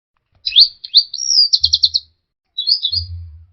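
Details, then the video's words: Orange-headed thrush song used as a lure to provoke a stressed, silent bird into singing: fast high whistled phrases with rapid trilled notes, a pause, then a shorter warbled phrase, with low thumps beneath. "pancingan Anis merah setres dan macet bunyi"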